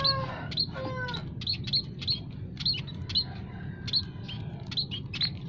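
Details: Munias of several species calling in an aviary as bait for catching wild birds: a drawn-out, slightly falling harmonic note at the start, then evenly spaced bright high chirps repeated over a low background hum.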